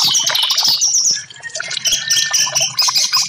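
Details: Orange-headed thrush song, played as therapy to get silent caged birds singing: dense, rapid high chirps and short whistled notes, almost unbroken, with a brief dip in loudness midway.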